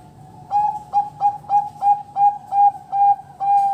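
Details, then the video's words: Zebra dove (Bangkok perkutut) cooing: a run of about eight soft, hollow, mid-pitched notes, roughly two per second, the last one drawn out longer. "MASTERING PERKUTUT BANGKOK"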